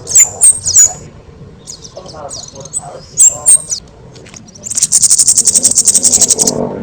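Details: Loud kemade song for tutoring other birds: sharp high whistled notes, a pause, two more strong whistles, then a rapid buzzy rattling trill held for about two seconds.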